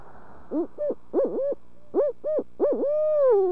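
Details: Barred owl calling at dinner time: a run of short, arched mid-pitched hoots, about six notes in under three seconds, finishing with a long drawn-out note that slides downward.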